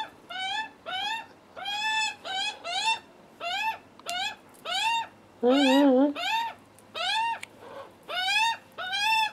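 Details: Hungry juvenile Australian magpies on their first visit, with their nervous, cautious adult father, a wild bird that takes food from fingers. Harsh, nasal screeches with arched pitch repeat roughly every 0.7 seconds, with one lower, buzzier note midway.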